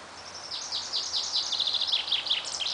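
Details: A common chaffinch (Fringilla coelebs) singing and displaying gives a quick run of bright, descending chirps that speed into a rattling trill and end in a high flourish, over faint background hiss.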